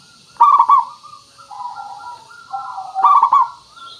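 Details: Local zebra dove with a clear, crystal voice, used as a lure: a loud stuttering cooed phrase, soft gliding low warbles, then another loud rolled burst, over a faint steady hiss.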